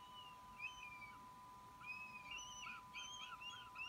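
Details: A fledged young Northern goshawk that has returned to snatch food gives thin, high, slurred squealing notes, repeated in quick uneven bursts, over a steady electrical hum.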